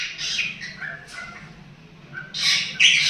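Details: Two cockatiels playing together give bursts of scratchy, high chirps and short warbled notes, louder toward the end, over a faint low household hum.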